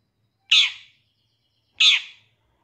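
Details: Long-tailed shrike used as a training master for captive birds: two loud, grating, rasping notes about 1.3 seconds apart, with quiet between them.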